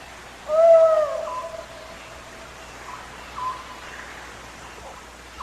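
An Oriental Scops Owl gives a clear, hollow, two-part note, followed by fainter distant repeats a few seconds later, over a low steady hiss.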